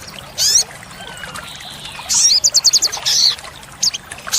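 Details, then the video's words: Olive-backed sunbird (sogok ontong) singing in a full 'tembakan' style, recorded for luring and training caged birds: sharp high chirps, then a fast run of rapid ringing notes and a buzzy high burst over faint background hiss. "Pancingan & Masteran sogok ontong (sogon) Full Isian Tembakan | Olive-backed Sunbird Bird sound"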